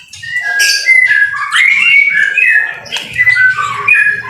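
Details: White-rumped shama singing actively in the rain, a master-training recording: loud, varied whistled phrases with rising and falling slurs, some rich and warbled, mixed with sharp high chips and short bright notes, continuous with no pauses.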